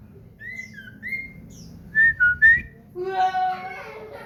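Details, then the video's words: Common iora kept at home as a caged bird, in full song: clear whistled notes slurring up and down, three louder ones in quick succession, followed by people talking. "burung cipow / sirtu gacor"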